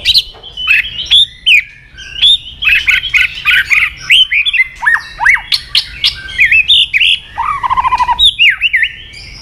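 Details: White-rumped shama song meant to agitate other shamas: a continuous, loud, varied stream of whistled, sliding and chattering notes packed closely together, with no pause throughout.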